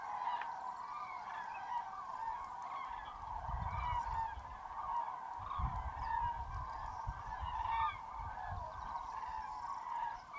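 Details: Hundreds of common cranes at a large roost in Tablas de Daimiel National Park, Spain, waking at a freezing, foggy dawn in mid-January, give loud, rolling trumpeted calls overlapping continuously, with low wind rumbles. Common crane.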